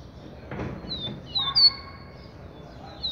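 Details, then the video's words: Double-collared seedeater (coleiro) singing the XT song type: a few thin, high whistled slurs, some sliding down, some held briefly, after a soft dull knock early on. "COLEIRO XT"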